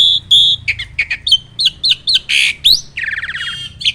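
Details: Black-winged starling in energetic song, played as a tutor for starlings that are reluctant to sing: a fast run of sharp high chirps and squeaky whistles, a rasping burst, then a grating buzzy trill near the end.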